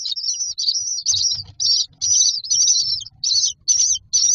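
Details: Common myna chicks in a nest box, standing in a row waiting for food: harsh, high wheezy calls repeated about twice a second in short bursts, with faint low thumps beneath.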